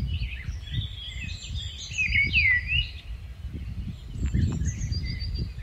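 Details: Migratory rufous-tailed scrub robin delivering a rich, varied song of slurred whistles and a loud downward-sweeping phrase near the middle, then softer high notes, over a steady low rumble.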